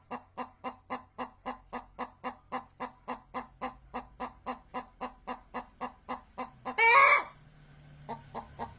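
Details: Chicken giving a steady run of short, evenly spaced clucks, about four per second, broken near the end by one loud, harsh squawk, then a brief pause before the clucking resumes.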